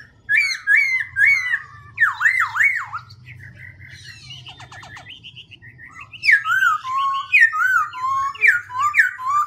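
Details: Black-throated laughingthrush continually altering its voice: repeated loud whistled notes, steep zigzag slurs, a quieter rattling interlude, then a lively series of rising and falling whistles about three per second.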